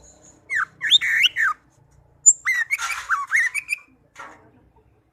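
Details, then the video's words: Song of a tame pet orange-headed thrush, its melodious phrases made of rising and falling slurred whistles, some rough buzzy notes, and short gaps of quiet between bursts. "Anis merah kicau merdu"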